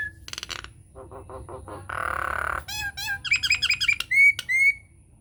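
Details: Nias hill myna lure song intended to set other mynas singing, unedited: clicking bursts, short stacked notes, a harsh rasp, then varied downslurred notes and clear ringing whistles near the end.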